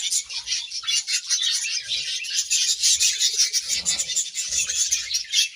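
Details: Grass-eating budgerigars give a steady, hissy stream of high, scratchy chatter with little pause, plus faint soft rustling and low knocks underneath.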